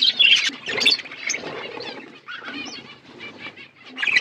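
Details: Budgerigar flock eating winter food, bursts of wing flutter with high squeaky chirps and soft warbling chatter, quieter in the middle and louder at the end.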